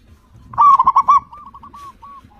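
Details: Local zebra dove in full song, kept to lure other zebra doves into singing: one loud burst of five quick bubbling coos near the same low pitch, trailed by a run of softer, fainter rolling coos.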